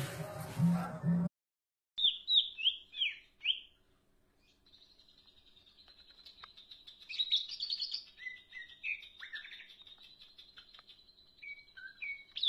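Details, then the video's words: After a brief burst of noise, a green leafbird sings a long, quieter, varied stream of high chirps, twittering and sustained thin notes in the 'gacor' manner. "cak ijo gacor,darderdor"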